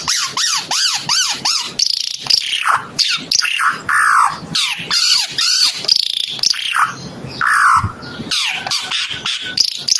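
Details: Energetic song of the Timor red-eyed bird, a dense run of rapid arched whistles and high chirps interrupted by short gaps, with some buzzier phrases midway.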